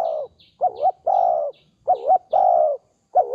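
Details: Dove cooing, a low hollow coo with a wavering double-peaked shape alternating with a longer steady note, repeated in a loose rhythm of about six phrases in three seconds, with faint high bird chirps behind.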